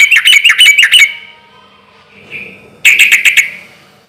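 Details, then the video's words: Loud relaxed song from a sooty-headed bulbul, used as a lure so other bulbuls reply quickly: two rapid runs of bubbly, gurgling notes with a soft quiet phrase between. "trucukan gacor suara keras irama santai sampai teler mantab buat pancingan trucuk agar cepat nyaut"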